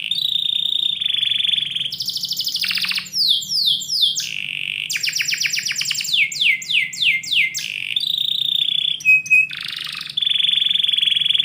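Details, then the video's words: Canary in a house during the morning sings long level notes, buzzy rattling rolls and cascades of rapid downward sweeps, alternating in varied tours; a faint low hum underlies it. "KICAU BURUNG KENARI - DIPAGI HARI DALAM RUMAH"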